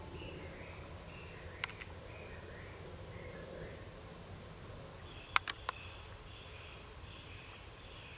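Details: Red-flanked bluetail calling: short, thin, high notes repeated about once a second, each a brief sharp blip, with a few louder clicks midway over a steady low rumble of background noise.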